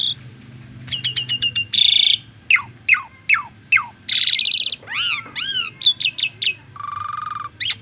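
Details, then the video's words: Asian pied starling singing as a training model for other birds: clear whistles, fast descending slurred notes, arched warbled phrases and harsh rasping bursts follow in quick succession, with a low background hum. "Masteran Jalak Suren Pemula Biar Gacor Dan Banyak Isian"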